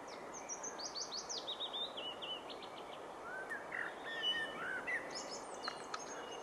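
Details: Willow warbler, a mixed singer said to begin its song with chiffchaff notes, recorded 16 June 2015; a descending run of clear, quick whistled notes slides from high to lower pitch, followed by scattered softer phrases over steady background hiss.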